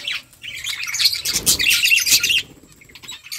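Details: A flock of budgerigars chirping while eating: dense, overlapping high warbles and squawky chatter in bursts, fading to a quieter spell before rising again at the end.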